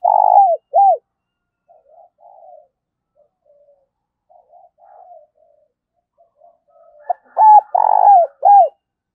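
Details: Spotted dove kept as a lure bird, calling to attract others: two loud, descending hooked coos open the clip, soft murmuring notes follow, then a loud run of short and drawn-out falling coos near the end.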